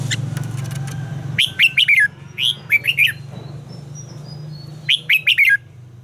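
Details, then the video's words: Red-whiskered bulbul training its voice, delivering bright, clipped whistled phrases of three to five notes, each dropping in pitch at the end, over a steady low background hum and a few sharp clicks. "luyện giọng chào mào hót hay - căng lửa, chào mào hót quá phê"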